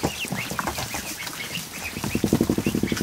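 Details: Over a hundred just-hatched ducklings in a kiddie pool in a barn, afternoon; high peeps repeat quickly throughout, joined in the final second by a fast run of low rhythmic patters.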